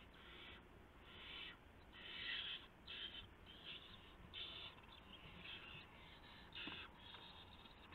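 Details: Owl at the nest around 1:00 AM, March 24, 2016, with a gopher brought as prey. Breathy, rasping hisses come in uneven bursts, some swelling louder, with occasional soft bumps.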